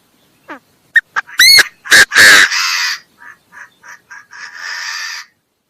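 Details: Chinese francolin calling: a faint falling note and two clicks, then three loud rasping notes, followed by a long echoing tail of softer, fading harsh fragments repeated several times before silence.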